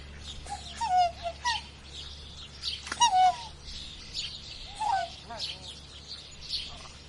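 Short nasal, trumpeting notes with a slight downward bend, given in loose bursts every second or two, over a low steady hum and faint background chatter.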